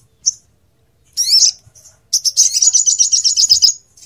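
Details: High sunbird-type phrases from a crimson sunbird tutor track for songbirds: a short chip, a sweeping squeaky note, then a rapid rattling trill of high repeated notes for well over a second.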